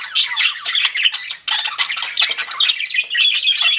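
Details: Captive budgerigars chirp in a busy warbling chatter of harsh twitters and a few thin whistles, with a short break near the middle.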